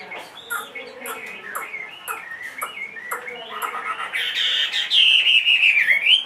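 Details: Large caged Chinese hwamei, two and a half years old, singing soft scattered chirps and clicks that swell into a loud, piercing, trilled whistle that rises at the end.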